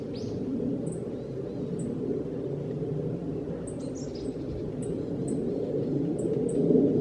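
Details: Black-faced bunting (Emberiza spodocephala) giving its ground call in December 2014: thin, high 'tsip' notes at irregular intervals, roughly every half second to a second, over a steady low rumble.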